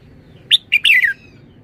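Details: Red-whiskered bulbul with one brief, clear song phrase: a sharp note, a short pause, then a run of two warbled whistles that glide downward at the end.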